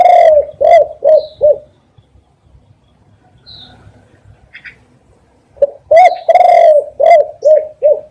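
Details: Spotted dove repeating its cooing phrase twice with a quiet pause between: short hooting coos and a long drawn-out coo, loud and clear, with faint high chirps in the gap.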